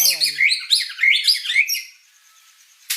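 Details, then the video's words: Murai batu, the white-rumped shama, singing gacor: about two seconds of fast, bright, high whistled and chattering phrases, then near silence before a short sharp click at the end. "Suara Burung Murai Batu Gacor"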